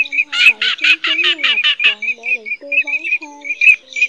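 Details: Male and female pheasant-tailed jacana calls used as a lure for night netting of migrating birds in August: harsh, nasal squawks, about five per second, then shorter clipped calls; faint lower tones beneath.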